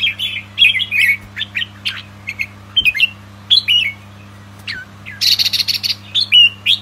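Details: Captive young albino red-whiskered bulbuls meant for breeding pair a rapid run of clipped, tweeting notes and quick slurred whistles, with a harsher buzzy burst near the end, over a constant low hum.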